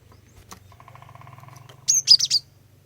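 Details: Female cinereous tit giving one loud phrase of four or five shrill, high whistled notes to lure males into song, after faint low humming and a soft buzzy drone.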